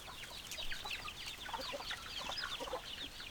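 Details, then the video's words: Hens clucking among roosters, a dense chorus of short overlapping clucks and chattering notes from many birds, continuous and busy with no pauses. "Chicken Sounds Noises Hens Clucking Roosters Crowing"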